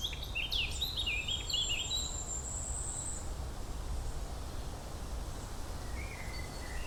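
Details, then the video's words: Birds in a forest give a quick cluster of sharp descending chirps and twitters alongside a long, steady high whistle, then a short falling whistled phrase near the end, with continuous low rumbling noise underneath. "sonido pajaros cantando----🐦birdsong"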